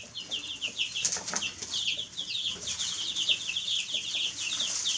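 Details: Baby chicks chirping continuously, many high peeping notes overlapping in quick succession, with a steady background hiss and some rustling.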